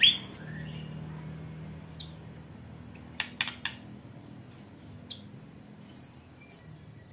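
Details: White-rumped shama filled with hanging parrot (srindit) song: sparse, very high piercing double notes, a few sharp clicks around the middle, then evenly spaced high notes toward the end over a quiet background.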